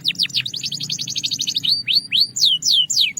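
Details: A Belgian canary delivers a quick run of descending chips, about eight per second, then four slower downward-curving whistles, clear and loud over a low faint hum.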